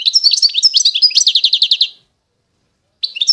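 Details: Constantine-type European goldfinch from eastern Algeria singing: rapid twittering and tinkling phrases, then a run of fast repeated buzzy notes, a second of silence, and a new burst of bright chirps.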